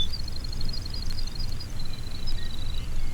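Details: Baird's Sparrow, a native-prairie bird, on a roughly 70-year-old recording gives a high, delicate tinkling song: a run of bell-like notes, then a lower, steady trill, over the heavy rumble and hiss of the old recording.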